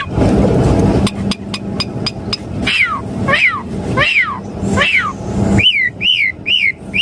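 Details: Asian pied starling lure song for caged birds: a loud rumbling noise and a few sharp clicks first, then repeated down-slurred whistled notes and a series of short looping chirps near the end.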